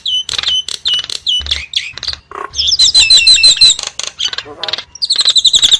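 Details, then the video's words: Nias hill myna giving a loud, varied song of sharp whistled notes, with clipped chirps and a brief lower nasal note mid-way, ending in a fast run of high, ringing whistles. "the alluring sound of the Nias starling"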